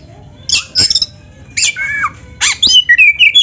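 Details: Oriental magpie-robin of the black-breasted form in full song, meant as a lure for other birds: bursts of harsh high buzzy notes alternating with a falling slurred whistle and a run of rising twittered phrases.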